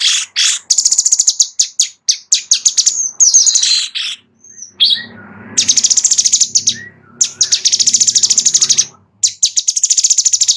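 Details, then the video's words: Sooty-headed bulbul recorded as training material for White-rumped shamas: long bursts of very rapid, buzzy, high-pitched trills that stop and start abruptly, broken by brief short chirps and quiet gaps. "Master Cucak Cungkok"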